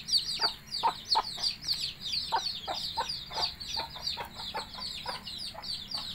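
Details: Mother hen's call to her chicks to come and eat. Quick, soft, low clucks are repeated many times across the clip. Dense, high, rapid peeping from the chicks sounds throughout.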